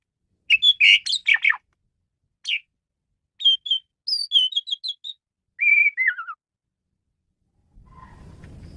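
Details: A male Asian pied starling sings for luring birds: chattery opening, then spaced whistled notes and a descending series of slurred whistles, ending with low noise.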